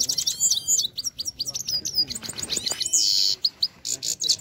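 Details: Goldfinch, Kabul Afghani type, in powerful song: a dense, fast stream of high twittering notes, tinkling trills and short buzzy bursts, almost without pause, over a quiet background.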